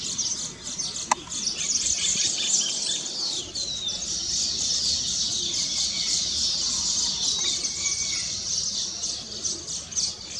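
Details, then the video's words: Several weaver birds sing on completed nests in celebration of nest completion, producing a thick wall of high, wheezy chattering and sizzling trills, with a few clearer whistled slurs and a sharp click early on. "Weaver Bird Songs"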